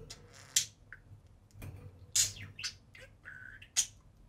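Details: Two budgerigars playing on their cage top at home give a few sharp clicking squawks spaced about a second apart, and one short whistled note near the end.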